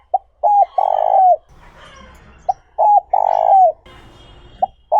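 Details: Decoy spotted dove in the 'trơn ròng' voice style, cooing to draw in wild doves. Two full phrases of a brief note, a short coo, then a long low coo falling at the end. Soft rustling and distant birds sound between phrases.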